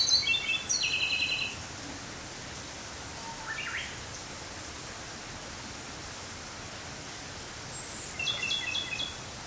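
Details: A Ryukyu robin in Okinawa, Japan, gives two short bursts of high, thin, rattling notes, one at the start and one near the end, over a steady outdoor hiss.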